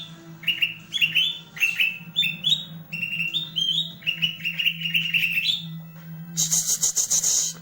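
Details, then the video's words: Singing green leafbird with its tail fanned out: fast chains of bright whistled notes in short rising steps, repeated phrase after phrase, ending in a harsh noisy burst; low hum throughout. "CUCAK IJO MAIN EKOR NGIPAS"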